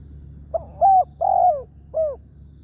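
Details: One complete cooing phrase from a big-voiced spotted dove, the wild target of a morning trapping session with a decoy: a short lead note, a level coo, a long down-slurred coo and a final soft note.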